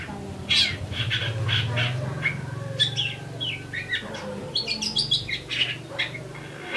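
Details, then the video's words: Eurasian tree sparrow giving a quick run of short, bright chirps, some paired, over a steady low hum. "GACOR SUARA BURUNG GEREJA"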